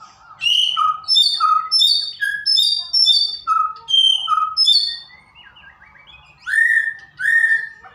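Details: White-rumped shama song used as a lure to coax a kept bird into singing: loud, clear whistled notes in paired high and low phrases, about nine in five seconds, then a pause and two lower slurred whistles.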